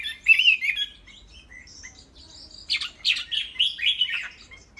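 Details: Tame cage-kept Chinese hwamei gives a short warbled burst, a quiet gap with faint notes, then a louder series of rich, tumbling whistled phrases.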